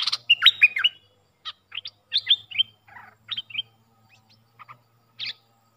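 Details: Puff-throated bulbul decoy sound meant for teaching young birds: a scattered mix of short chirps, slurred whistles and brief chattering notes with irregular pauses and a faint low hum beneath.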